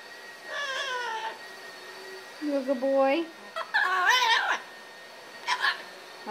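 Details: Pet male Magna Double Yellow-headed Amazon parrot singing happily after his bath while drying: warbling, wavering harmonic notes, some rising and falling, with a low crooning phrase, amid a woman's affectionate talk indoors.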